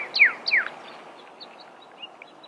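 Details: Desert cardinal (Pyrrhuloxia) gives two loud, sharp down-slurred notes in quick succession. Faint scattered chips follow against a steady hiss.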